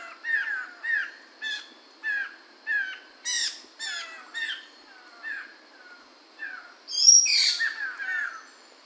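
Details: Chinese hwamei, Medan type, in 2021, sings a string of short rising whistled phrases about every half second to second, with brief gaps, then a louder burst of bright, rich notes near the end.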